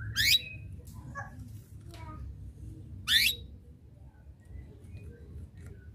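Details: Canary calling rivals to sing, two sharp rising chirps three seconds apart over a soft room hum with scattered faint clicks and noises.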